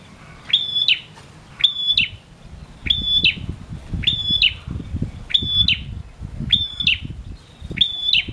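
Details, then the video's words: Seven regular phrases from a lively male prinia, each a tick, a flat high whistle and a scratchy snap, spaced just over a second apart, with rumbling low-frequency noise underneath. Used to stimulate reluctant prinias. "Prenjak jantan gacor!!! Ampuh merangsang bunyi prenjak malas bunyi"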